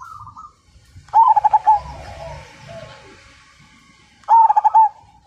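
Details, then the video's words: Majapahit zebra dove in full song, used to prompt other birds to sing: a loud stuttering series of six or seven clipped coos, a quieter murmur of coos with low background rumble, then the loud series again. "Perkutut MAJAPAHIT GACOR DAN FIGHTER Suara Bikin Burung Lain Ikut Manggung"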